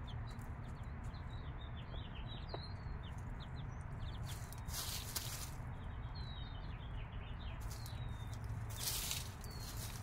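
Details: A mother hen's 5-day-old chicks peeping in high, slurred notes, sometimes in longer drawn-out cheeps, broken by brief rustling bursts, over a constant low drone.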